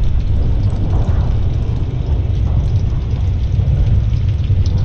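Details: Loud continuous low rumble mixed with a rain-like hiss, with no animal calls heard.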